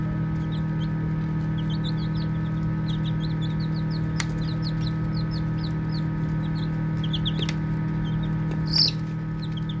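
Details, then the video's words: Playful baby chicks give clusters of thin, high, falling peeps with pauses between groups, set against a continuous low hum, a few sharp clicks and one louder burst near the end. "Baby Chicks Chirping Sounds"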